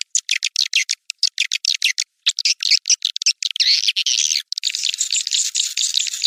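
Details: White-nest swiftlet: a fast series of separate high clicking chirps, then an unbroken, rasping, high twittering buzz.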